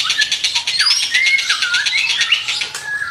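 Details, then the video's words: Energetic white-rumped shama song: high, bright slurred whistles sweeping up and down over a dense layer of rapid chirps. "Duara burung mura gacor"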